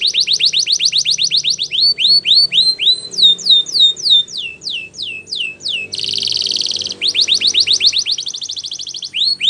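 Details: Spanish Timbrado canary in a training song, alternating series of sharply descending whistled notes, a burst of dense metallic rattle, and renewed fast rhythmic tours, loud and clean throughout.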